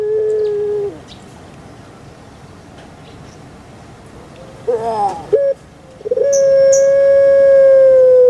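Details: Pet puter pelung dove: the fading end of a coo, a quiet gap, short rough wavering notes, then a loud long level coo rising at its start and holding steady.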